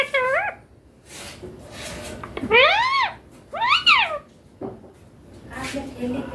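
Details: Green baby Indian ringneck parakeet in a room, talking with strong rising-and-falling harmonic squawks, two long arcs close together mid-clip, a short upward note at the start and faint babbling sounds.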